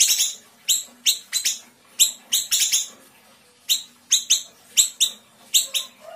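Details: Small siri-siri from Sumatra singing hard, fast and dense in the 'tembakan rapat' style for tutoring cage birds: strings of piercing high chips, often doubled or tripled, repeated in rapid irregular bursts over several seconds.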